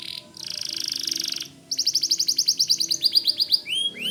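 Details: Energetic white canary: a fast buzzing trill, then a quick series of sharp repeated notes ending in a few upslurred whistles.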